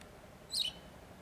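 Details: Wagtail chicks being fed as the male and female parents bring food in stages, from small ants and soft food to larger worms: one brief, high, squeaky chirp that dips slightly in pitch, against a quiet background.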